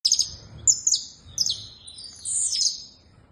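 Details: Saffron finch singing a short burst of high, sharp chirps that sweep downward, three quick notes followed by a ringing, buzzy phrase near the end; quiet background.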